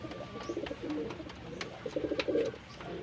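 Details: Pigeons being paired for breeding, cooing indoors: low, warbling coo phrases in two bursts with short pauses between, over faint clicks and taps.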